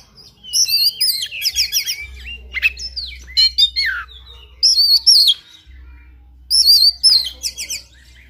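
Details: An oriental magpie-robin in fighting song pours out continuous, varied phrases: rippling whistles, fast trills and dense chattering notes in rapid runs, with a steady low hum beneath and two short breaks.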